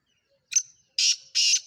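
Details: Black francolin (kala teetar) of the Sindhi type, a caged bird offered for sale, gives three harsh, grating bursts, a short one followed by two longer rasping notes, in otherwise quiet surroundings.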